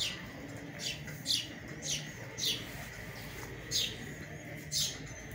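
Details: Sparrow chicks being fed by their parents in early summer, during drizzly weather, give high, thin chirps repeated irregularly about once a second as they beg for food, over a steady faint hum.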